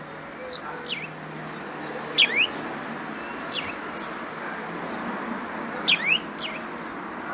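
A house sparrow gives short, bright double chirps about every two seconds over a steady background hiss.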